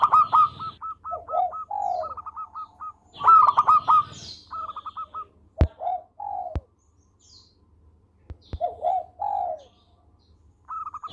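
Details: Local zebra dove in lively song: repeated staccato trills of quick clipped notes interleaved with rolling and falling coos. Scattered sharp clicks and short quiet gaps are heard between phrases.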